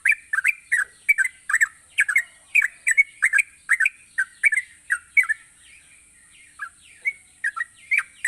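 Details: Energetic yellow-vented bulbul gacor song for encouraging lazy bulbuls to sing: long even series of bubbly, gurgled chirps, a brief quieter stretch with softer notes, then the chirping resumes, with a constant high whine underneath.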